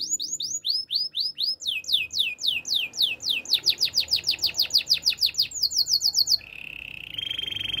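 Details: A male canary delivers a long chain of crisp descending whistled notes that speeds up steadily, then switches to a level, lower rolled trill near the end.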